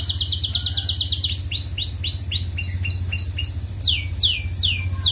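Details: Canary master song meant to stimulate other birds to breed: a fast rattling trill gives way to a series of swooping, downward-curving whistled notes, then more sweeping slurs, with a constant low mechanical drone beneath.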